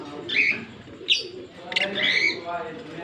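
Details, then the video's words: A green pair of Fischer's lovebirds chirping, October 16, 2023. Squeaky high chirps come in quick succession, with one sharper note in the middle and a longer warbling chirp near the end. "Lovebird Singing & Chirping Sounds- Green Fischer Pair"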